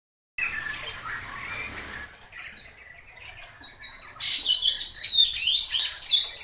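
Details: Chinese hwamei singing a rich, varied warble of rapid slurred and whistled phrases, mid-pitched at first, then rising after four seconds into louder, higher, sweeping notes.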